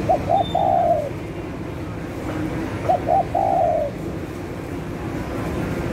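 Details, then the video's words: Spotted dove giving a lure call for trapping: two separate phrases, each two quick short coos followed by a longer, slightly falling coo, about three seconds apart, with low steady background noise. "Tekukur Gacor Untuk Pikat,langsung Nyaut."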